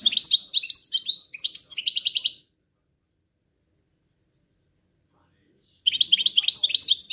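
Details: 'Drunk' singing from a European goldfinch: fast, tinkling high twitters and a dry buzzy rattle, then about three seconds of silence before the bright chattering song resumes.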